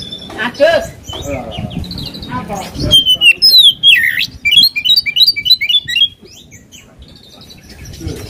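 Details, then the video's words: Oriental magpie-robin song meant to rile a rival bird: opens with murmuring voice-like noise, then a loud run of clear descending whistles and rapid chattering notes before fading out. "KACER GACOR BIKIN EMOSI LAWAN"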